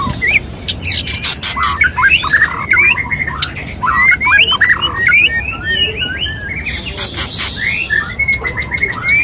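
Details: White-rumped shama male singing to a female: continuous fast chattering of short slurred whistles and harsh notes, punctuated by sharp clicks and a brief buzzy burst near the end.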